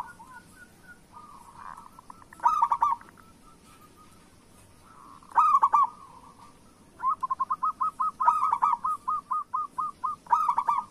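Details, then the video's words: Local zebra doves in full song, used to encourage lazy birds to sing: soft trills and two loud rolling phrases, then a steady burst of rapid repeated coos in the last four seconds. "Perkutut Lokal Gacor Suara Pancingan Burung Perkutut Paling Cepat Bunyi"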